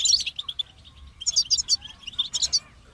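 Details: Brief stretch of goldfinch song: a bright twittering run, a short lull, then another burst of quick tinkling chirps and buzzy notes.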